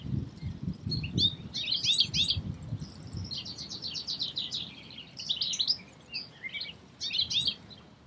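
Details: In Escherange, France, in May 2016, a European goldfinch delivers a rapid, dense tinkling twitter of high notes in almost continuous phrases, with low rumbling background noise early on.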